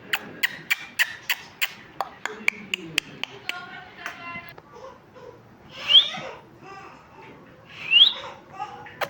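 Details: Pet talking parrot chirping: a quick series of sharp clicks over the first few seconds, then soft chattering and two bright rising whistles a couple of seconds apart.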